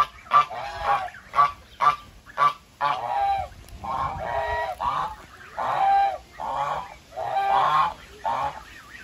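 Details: Goose gives quick, clipped honks at first, then longer drawn-out nasal honks in an uneven series.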